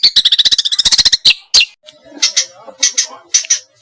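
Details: Small birds used as training song to get a white-rumped shama singing: a rapid buzzy rattle of about fifteen harsh high notes, then a few sharp chips and scattered squeaky, clipped chirps with a faint low murmur underneath.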